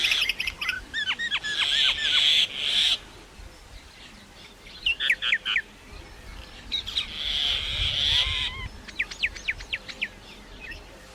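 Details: Varied singing from a common myna, with bursts of quick downward whistled notes broken by pauses and stretches of harsh, buzzy, hissing chatter.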